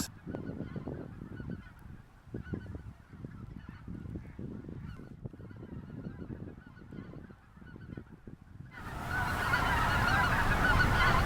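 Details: Huge flock of Greater White-fronted Geese sitting on the ice and partly flushed by an approaching observer, North Ottawa Impoundment, Grant County, Minnesota, in April: steady, rapid honking chatter over low rumble, then a surge of wind noise near the end.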